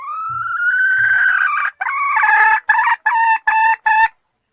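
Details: Female red junglefowl calling the male: a long, clear rising whine, then a rough broken note and four evenly spaced, sharp cackling notes.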